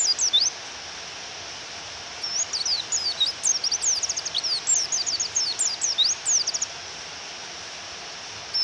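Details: Female pleci white-eye calling to provoke the male to sing, in rainfall: a brief chirp, a pause, then a fast run of sharp, high, twittering notes that stops abruptly, all over a constant rain hiss.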